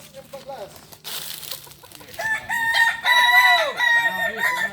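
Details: Kukuak balenggek rooster crowing during a contest final in Ampang Kualo, Kota Solok, on 8 September 2024. Short notes and a murmur open the recording, then loud, sustained, multi-tone crows with wavering, stepped endings swell from the middle onward.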